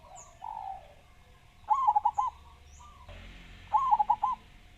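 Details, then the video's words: ['Lively local zebra dove from Java with a loud voice. It gives two quick, rolling coo phrases of five notes each. Softer distant cooing and brief thin whistles are heard, and a background hiss starts partway through.'] "Perkutut Lokal Gacor Suara Besar"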